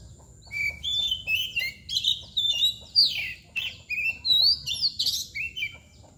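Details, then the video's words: Oriental magpie-robin (kacer, koci) singing in the mbagong and nangkur styles: a rich, varied run of whistled phrases that rise and fall, delivered in short bursts with brief pauses and a few harsh notes, over a low steady hum. "KACER MBAGONG LUCU ABIS | KOCI NANGKUR | KACER BALON | KOCI BAGONG"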